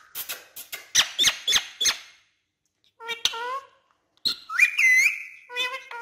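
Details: Urdu-speaking pet parrot: a run of sharp clicky squeaks, then nasal speech-like syllables with gliding tones, followed by a loud rising whistle that swoops and holds, ending in more chattered syllables.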